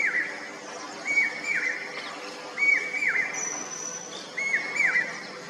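Common hawk-cuckoo: shrill paired whistles, a level note then a downslurred one, repeated about every one and a half seconds, with a faint thin high whistle behind.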